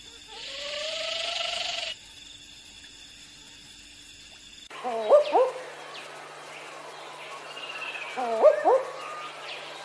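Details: Barking owl (Ninox connivens), call.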